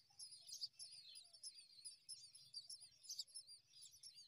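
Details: Morning scene of a myna feeding its newborn babies: faint, rapid high-pitched chirping in irregular bursts, with a few soft lower whistled notes underneath.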